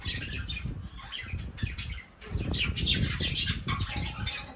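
Budgerigars chatter in quick, scratchy chirps and squawks over soft flapping and low rumbling noise.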